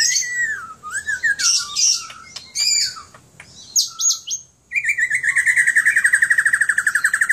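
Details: Kept White-rumped shama from Aceh, Indonesia, singing a varied phrase of swooping whistles and buzzy notes, then a fast, even trill near two kilohertz that repeats about four times per second to the end.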